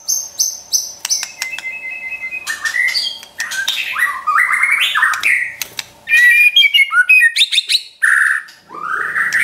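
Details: Champion white-rumped shama trotol song, a provoking training recording for pet shamas: rapid, richly varied phrases of clear whistles, buzzy trills, sharp clicks and rising slurred notes, delivered in quick bursts with brief gaps, loud and continuous toward the end.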